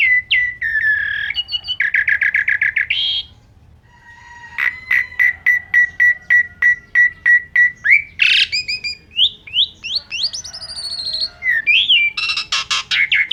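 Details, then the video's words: Asian pied starling (jalak suren) in gacor full-isian song: harsh chattering phrases, a pause, a long rapid string of repeated clicking notes, then squealing whistles and buzzy rasps. "Suara Burung Jalak Suren Gacor Pancingan Full Isian"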